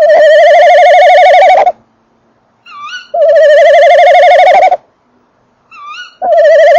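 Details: Male tawny owl inside the nest box at 19:48 in late December, microphone right by the box, the female calling farther away: long loud quavering trilled hoots about one and a half seconds each, separated by brief higher wavering notes.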